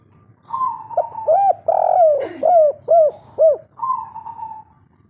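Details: Spotted dove of the local kuk-3 style, a lively singer, giving one full phrase: a drawn-out coo, a quick run of four or five short rising-falling notes, then a long falling coo to finish, clear and close.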